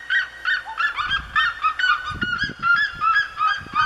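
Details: Red-legged seriema song recorded in the Serra da Mantiqueira: a fast chain of nasal, barking yelps with strong overtones, around three each second, with low rumbling thuds underneath.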